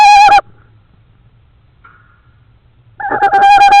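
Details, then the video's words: Owls at a nest with three or four eggs in Estonia, on a nest cam at 10:14 pm on 27 March 2013, give two loud, harsh, nasal calls about three seconds apart, each rich and rasping, with near silence in between. "beautiful owls,wow quite the sound they make"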